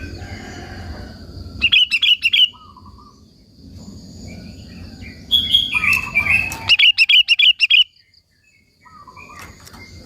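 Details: Sooty-headed bulbul in full, intense song, used to provoke local bulbuls and lure them in: bright, rapid chirping bursts of six to eight notes, sharp and high, separated by pauses, with a low rumbling background between phrases.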